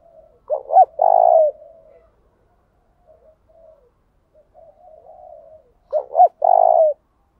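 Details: Spotted dove lure call used to provoke rivals into a singing duel and draw birds in quickly: two short, quick low notes, then a long, steady coo, repeated about five seconds later, with soft cooing murmurs between.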